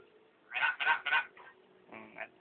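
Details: Household hill myna copying vendors' cries such as 'perak'. Three loud, rough, evenly spaced syllables, followed by two softer, drawn-out voiced sounds. Light room background.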